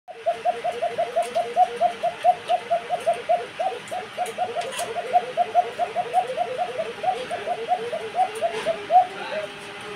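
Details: Many Basiraj Koka pigeons coo together, soft throaty notes overlapping in a steady, bubbling chorus.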